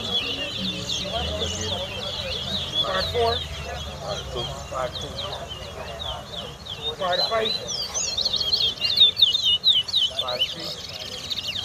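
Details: Towa towa birds singing in a race at Craig bridge bird ground, Guyana, 2022: rapid high twittering and warbled phrases, dense and overlapping, with background crowd noise and low rumble.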